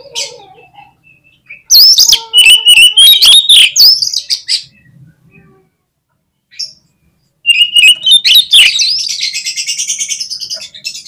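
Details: Oriental magpie-robin singing loud, high, fast whistled phrases with sharp sweeps and clicks, a brief pause, then a sustained run of rapid, slightly buzzy high notes repeated in quick succession.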